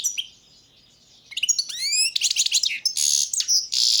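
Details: Balkan goldfinch (Carduelis carduelis balcanica) in a 2022 world championship song contest: a thin sustained note, then rising slurred whistles into dense, fast twittering and buzzy trilled high phrases.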